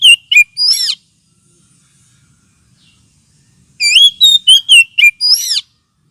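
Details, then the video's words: Oriental magpie-robin lure sound, also used as therapy for birds lacking aggression: two bursts of fast, loud whistled and swept notes, separated by a long silent pause. "Suara pikat kacer ampuh 100% !!! sudah terbukti"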